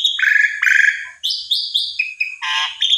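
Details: Song of an Asian pied starling used to draw out another bird's song: rasping buzzy notes give way to bright upslurred whistles and a coarse chattering burst, all loud and close.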